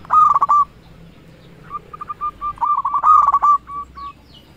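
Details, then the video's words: Lure song of a local zebra dove, meant to arouse and provoke other doves. A loud rolling coo burst, a string of soft short notes, then a second loud burst with trailing coos. "Perkutut Lokal Gacor Raja Pikat Paling Ampuh Ahlinya Bikin Lawan Gacor Nyaut"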